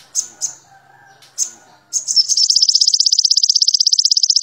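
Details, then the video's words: Sogon trotol, a master-song recording for training captive birds and raising their excitement: a few sharp high chips, then a fast, even, very high trill of rapid notes running steadily to the end. "MASTERAN SOGON TROTOL MUDAH DI TIRU‼️AWAS EMOSI DAN BIRAHI NAIK‼️"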